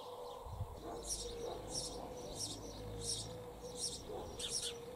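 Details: At a nest hole in a church wall, a sparrow pair gives a steady series of bright high chirps about every two-thirds of a second, over a low steady hum.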